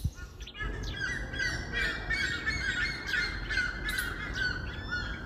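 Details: Jungle babbler at a house with backyard birds on a chair: continuous harsh, rapidly repeated chattering notes forming a noisy squeaky chorus, as though from several birds.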